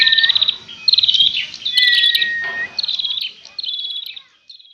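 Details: Prinias fighting: short, high, buzzy trill bursts alternate with a lower drawn-out whistle. The bursts then fade into quieter, spaced chatter near the end.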